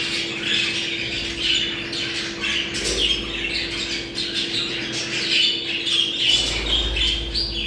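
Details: Budgerigars' mating call, used to bring birds into breeding condition: dense, overlapping squawks and chirps from several birds, with a steady low electrical hum underneath.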